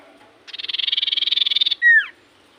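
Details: Common iora in full voice, a song said to make any other iora answer at once: a buzzy, fast-pulsed trill of about a second, then a loud, clear whistle sliding steeply downward. Quiet background.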